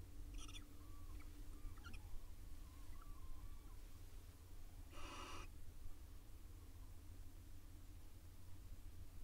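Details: Wild barn owl pair courting in a nest box in Israel: a few sharp clicking chirps and soft twitters, then one loud rasping hiss of about half a second. Constant low hum in the background.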